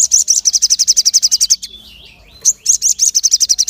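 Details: Crested jay with sharp calls played to provoke other birds: a fast, high, dry rattling chatter of rapid clicks, breaking off briefly after about a second and a half, then resuming at the same fast pace.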